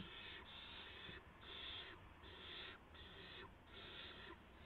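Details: Barn owl owlets at 3:10 AM, March 16, 2016, while an adult brings in a gopher. Rough, breathy hisses come in five steady bursts, each lasting about half a second, separated by short gaps.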